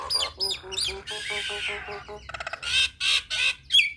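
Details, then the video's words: Nias hill myna singing 'gacor', played for young birds learning to sing: nasal honking notes, a rasping slide, a fast rattle, then loud harsh squawks and a sharp whistle. "Jalak Nias Muda Belajar Bunyi Cocok Putarkan Kicauan Jalak Nias Gacor"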